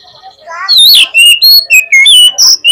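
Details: Oriental magpie-robin (kacer) song used as a lure to provoke a rival male into answering: loud, clear whistled notes sliding between mid and very high pitches, delivered in quick varied phrases after a soft, quiet opening.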